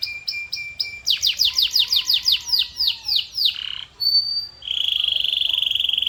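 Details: Song of a canary: short repeated notes, a fast cascade of descending slurred notes, a brief high whistle, then a long, even rolling trill.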